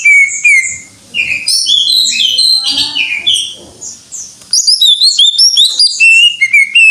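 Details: Greater green leafbird pouring out 'gacor' song: slurred whistles and varied mimicking chatter, a brief lull, then a run of crisp, rising whistled notes repeated rapidly.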